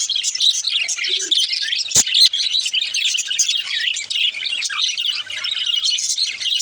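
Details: Steady high twittering warble of a baby budgerigar, a few lower squeaky notes mixed in and a single sharp click near the two-second mark.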